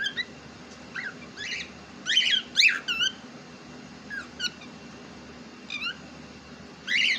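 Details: Pet cockatiel, reportedly talking in Urdu, utters bright squeaky chirps and bent whistles at irregular intervals, with a louder cluster near the start and a strong squeak at the end.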